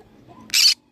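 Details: A green-cheeked conure parrot lets out one short, harsh, screechy squawk over a faint low background hum.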